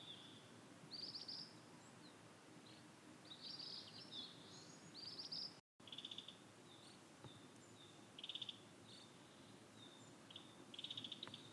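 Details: Ashy minivet in its usual satoyama haunt, uttering scattered high, short trilled bursts and clipped notes at irregular intervals, with one brief silent break and soft ambient countryside noise beneath.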